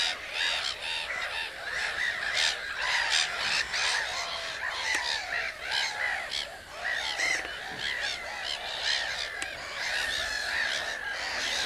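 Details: Common cranes calling, many birds at once: a dense, continuous chorus of overlapping, rolling trumpeted calls with rich harmonics, rising and falling in loudness throughout.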